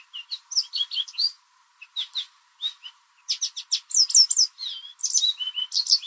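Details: American goldfinch singing loudly in a backyard in spring, likely a mating song; short loud high chirps and twittering notes in bursts, a brief pause near two seconds, then denser rapid chirping.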